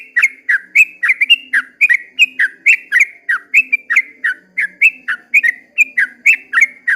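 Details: Sooty-headed bulbul at dawn giving an extended 'ropel' song: a continuous seven-second chain of rapid, liquid whistles, swooping notes repeated several times a second, with a soft low hum in the background.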